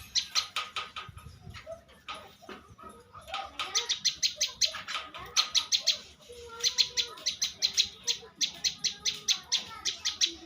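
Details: Prize-winning bar-winged prinia pouring out quick series of sharp ticking notes, growing denser and louder after the first seconds, while faint whistled phrases from other birds sound lower down.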